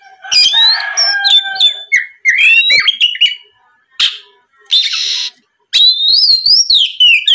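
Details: Oriental magpie-robin (kacer) song used as a lure to make rival magpie-robins sing back: loud, varied whistled phrases, rising and falling slurs mixed with harsh buzzy notes, with short pauses between bursts.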